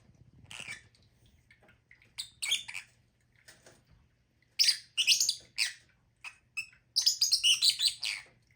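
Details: Lovebird chatter building from scattered soft chirps to dense runs of loud, shrill squawks and rapid twittering, about two or three calls per second by the end.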